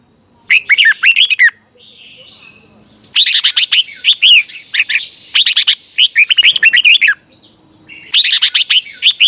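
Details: Red-whiskered bulbul singing in a contest-style recording: several fluid phrases of rapid, slurred whistles, some lasting four seconds, with brief gaps, and a faint hiss and high steady tone behind.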